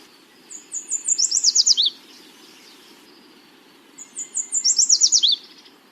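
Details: Yellow Warbler song, given twice, heard as "sweet, sweet, sweet, I'm so sweet": a quick series of bright, high sweet notes speeding into a slurred, descending finish, each phrase about one and a half seconds.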